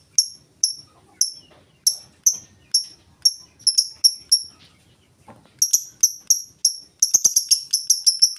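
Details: Lovebird in full ngetik song, ticking without ngekek: piercing high chirps about two per second, a brief pause, then a faster, denser burst of rapid ticks at the end.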